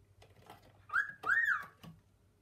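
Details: A male pet cockatiel exploring the kitchen cupboards with his female calls to her, giving two clear whistled notes, a short one and then a longer arching one that rises and falls, with light tapping and clicking in a small room.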